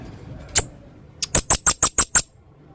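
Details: Male blue-crowned hanging parrot, singing energetically in full 'isian' style: one sharp click, a short pause, then a tight run of six high, even clicking notes.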